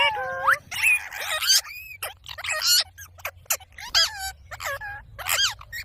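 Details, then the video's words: Ringneck parrot voicing a chattering string of harmonic, wavering notes and squeaky bursts, uneven in timing and speech-like in places, over a faint low hum. "Parrot sound | Ringneck parrot"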